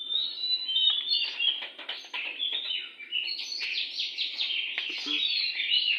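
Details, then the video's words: Oriental magpie-robin singing in front of a house, a dense, continuous jumble of chattering, scratchy and whistled notes with no clear pauses; a man speaks briefly beforehand. "burung Kacer li4r dpn rumah super gacor"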